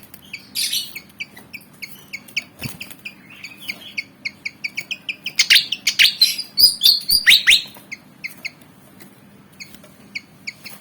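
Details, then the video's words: ['Malaysian pied fantail, black and white bird about 19 cm long, agitated and eager to fight: bright, short chirping notes repeated steadily, breaking midway into a burst of harsh, scratchy chatter, then returning to spaced chirps.'] "Burung Kipasan Jawa Ngotot Liat Pengen Tarung"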